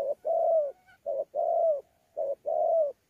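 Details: A wild-caught spotted dove in Sa Thầy, 26 November 2019, cooing in fighting style with gù: three low mellow phrases, a quick note then a long falling coo, with a faint soft hum between them.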